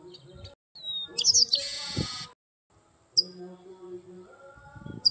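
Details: Chestnut-capped blackbird, the garibaldi or papa-arroz, 'retinindo' (ringing) with fiery energy. A whistled glide opens a loud, grating buzzy trill about a second long, then two sharp high chips over a low droning background.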